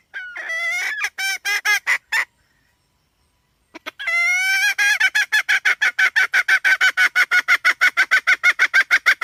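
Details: Hen calling: a few drawn-out, wavering nasal notes, then after a pause a long run of short, harsh, clucking notes repeated about three times a second, steady and loud to the end.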